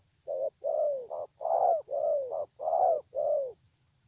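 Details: Spotted dove, a wild-caught bird noted for its very good voice, recorded 9/6/2020: eight mellow, low cooing notes in quick succession, some short and clipped, others longer and falling at the end, with a steady high hiss behind.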